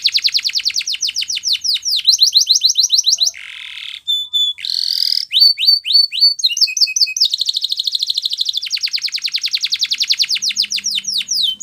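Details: Canary of the Spanish Timbrado breed in a training song: rapid clicking trills, a low nasal burred tone, sharp downslurred notes, then long fast metallic rattling runs that change tempo.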